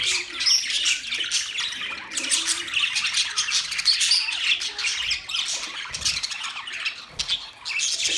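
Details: Several caged budgies in their new cage give a constant, lively stream of shrill chirps, raspy squawks and warbling notes that overlap into a bright, crowded chorus.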